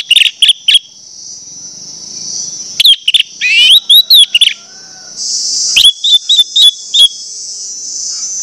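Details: Orange-headed thrush singing as a lure to prompt others to sing: short clusters of bright whistled chips and slurred notes in quick succession, scattered across the stretch, against a continuous shrill insect-like drone.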